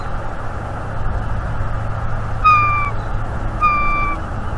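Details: Bald eagle pair at their nest tree on a nest camera, 11 January 2023, during nestwork while turning down each other's mating attempts; two drawn-out, slightly falling whistled squeals with bright overtones, over a steady low rumble of background noise.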